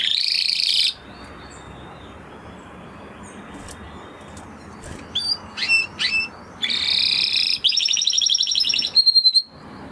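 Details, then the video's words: Spanish Timbrado canary singing in bursts: a loud buzzy trill, a long pause with scattered chips, then another rolling trill and a final rapid pulsed phrase. "Canary Sound Effect - Canary Singing Video"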